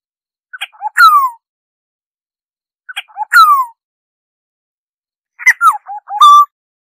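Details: For bird surveys, an oriole repeats a phrase of short notes and a long falling nasal slur twice, about two seconds apart, then a rapid fluty whistled phrase ending on a steady whistle. Background is quiet.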